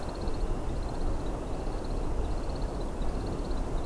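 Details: American Woodcock (Scolopax minor) display twitter at sunset, about 9 p.m. in May 2022, in Jack Pine habitat near Johnston Harbour, Bruce Peninsula: high, thin twittering in quick repeated bursts, faint behind heavy low wind rumble.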